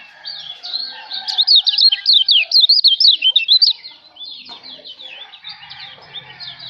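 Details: White-eye of Lombok (kecial lombok), used as master song for teaching songbirds: a fast, high, twittering chatter of sharp up-and-down notes runs for several seconds, then fades into softer scattered chirps.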